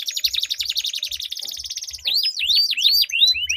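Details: Dueling canaries, a recording for prompting other canaries to sing long rolls: a fast even buzzing roll for two seconds, then loud swooping whistled notes repeated several times a second, with occasional low knocks.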